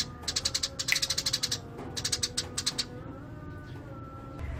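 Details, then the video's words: Eurasian tree sparrow singing 'gacor' style: two quick bursts of sharp, high chirps in fast rhythm, then fading to quiet hum with faint tonal lines. "Burung gereja gacor"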